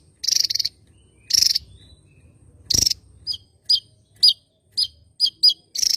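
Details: Javan tesia, a bird endemic to Java, singing actively: very high, thin, buzzy bursts, a few longer trills, then quick sharp chips about every half second, over a faint low background hum.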